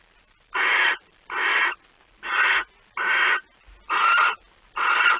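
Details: Second mouse of the night brought to a barn owl nest, 26 August 2019, early morning: six rough, airy screeches at a brisk rate of about one per second, with a soft low bump between calls.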